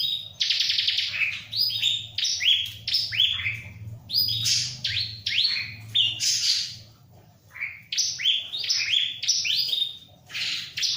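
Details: A ciblek (bar-winged prinia) sings energetically in a long run of sharp chirps and short descending whistled notes, clustered in quick bursts with brief pauses, alongside a low steady hum.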